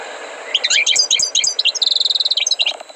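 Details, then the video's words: Trained goldfinch singing bright, tumbling twitters that end in a rapid, even trill of one repeated high note, then a final chirp. "غناء حسون قمة في الأداء غلطة لا _Chant du chardonneret"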